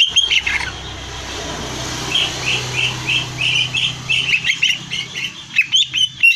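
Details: Greater green leafbird singing as training material for song competitions: a run of short, quick whistled notes repeated in a lively series, over a faint low hum.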